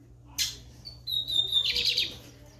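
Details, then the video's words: Short phrase from a lined seedeater: a sharp note, then a clear, high, sustained whistle leading into a brief, dense buzzy trill. "Bigodinho americano mandando ver no canto!"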